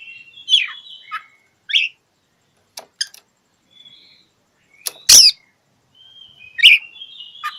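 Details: Oriental magpie-robin singing at a rival, with sharp slurred notes, a few clicks, then a very loud harsh burst followed by a whistled phrase and a rapid downward note.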